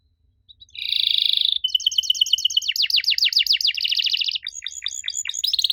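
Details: Canary song said to be an unusual sound that prompts young canaries to answer: a steady buzzy roll, then a long series of fast, sharply descending whistled sweeps, ending in quick looping notes, with no other sounds.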